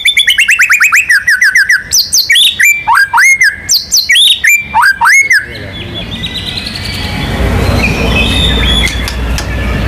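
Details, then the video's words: White-rumped shama, a national contest champion, singing in full with mimicked phrases: a fast roll of repeated rising notes, then varied loud whistles and looping chirps for about five seconds, followed by background noise. "MURAI BATU GACOR MANCING BURUNG LAIN BUNYI‼️ MATERI ISIAN NGEROL NEMBAK IRAMA LAGU LENGKAP ISTIMEWA"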